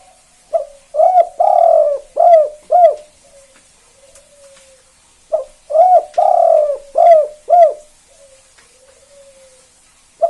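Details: Spotted dove, KUK 2 style, a bird that draws calls from other doves: two full phrases, each of short hooked coos around one long raspy coo, several seconds apart with soft murmurs between.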